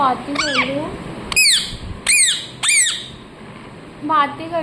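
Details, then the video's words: Parrot kept as a pet calling in short, harsh arched squawks in quick clusters, a pause, then more squawks, while a woman's voice speaks to it indoors. "मिट्ठू मिट्ठू बोलने वाला तोता | the parrot that says mithu mithu"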